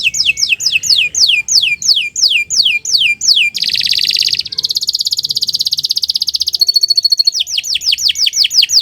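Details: Canary morning song used as master recording for tutoring birds: series of sharp falling whistles about three per second, a dense fast rattle-like trill, a steady pure tone, then renewed descending notes.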